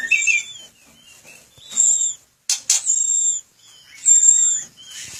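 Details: Murai batu, the white-rumped shama, singing in a breeding aviary: loud, very high drawn-out whistles alternating with lower slurred notes and two sharp percussive clicks, in short phrases separated by pauses.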